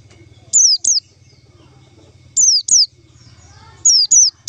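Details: Lure call to trap white-eyes: paired high whistles, each dropping steeply, the pairs repeated roughly every one and a half seconds, over a steady low pulsing hum.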